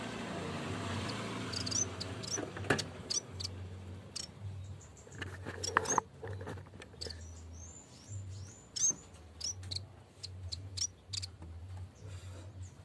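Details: Vocal yellow-bellied warbler (cikrak bambu) calling its rival: scattered thin, very high chips, then a quick run of sharp twittered notes midway, with a low rumbling hum and other noise throughout.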